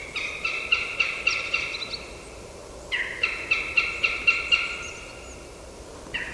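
A Northern Goshawk gives two bursts of harsh, nasal kek-kek-kek notes, about four per second, each run of six or seven notes on an even pitch.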